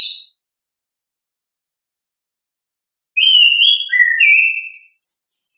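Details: Ngeplong song of an orange-headed thrush from nature: a brief opening note, nearly three seconds of quiet, then smooth rising and falling whistles ending in rapid high trills.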